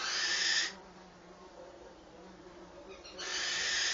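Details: Eurasian wren young in the nest as their mother comes with food: a harsh, noisy hiss, a pause of over two seconds, then another hiss begins.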